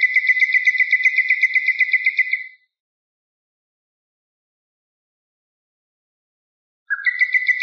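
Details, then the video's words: Common nightingale song edited as a tutor tape for teaching Moroccan bulbuls: a fast run of rapidly repeated, slightly buzzy notes with a bright overtone, then silence, then the same rapid phrase starting again. No background sounds. "شريط تغريد طائر العندليب لتلقين البلبل المغربي CD chant rossignol philomèle pour bulbul des jardins"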